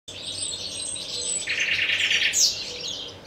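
Nightingale song: a fast, rich rattling trill of repeated notes, then a sharp high whistled flourish, over a steady wash of other birds chirping.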